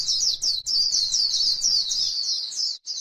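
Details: Short burst of white-eye líu song from grassland, used to stimulate other white-eyes: a nonstop high, fast warble of sliding chirps, with low rumble in the first two seconds.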